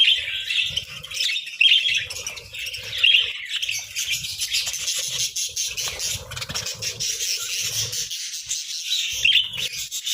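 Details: Budgerigars feeding on boiled eggs and bread at breakfast in winter give soft, scattered high chirps and a busy warbling chatter, with low thumps and rustling underneath.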